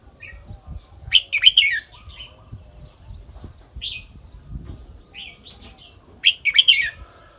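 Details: Red-whiskered bulbul song in the kwik-jok-khwai-liang pattern: a loud burst of rapid bright notes, then scattered softer chirps, and a second burst of quick whistled notes near the end.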